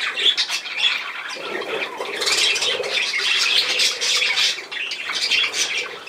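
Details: Loud, busy budgerigar chatter, a stream of high scratchy notes and sharp squeaks that swells in the middle and stays dense to the end.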